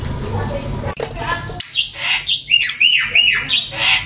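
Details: Lovebird chattering: loud, harsh squawks and a run of rising and falling screechy notes in quick succession, following a stretch of broadband noise at the start.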